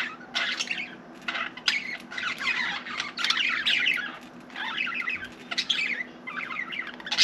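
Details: A caged pet budgie chatters in a small room, running rapid, raspy warbles and clicks into nearly continuous babble with a few short gaps, low hum behind.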